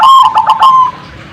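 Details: Zebra dove call meant to provoke other birds into answering: a single loud phrase of a clear whistled tone broken by quick throaty pulses, ending in a short drawn-out note.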